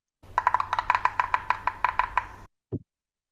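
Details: Yellow-bellied Sapsucker drumming, Kentucky, where it is mostly seen in winter: about fifteen sharp wooden taps over two seconds, an erratic series slowing toward the end rather than an even roll, followed by a brief low human voice.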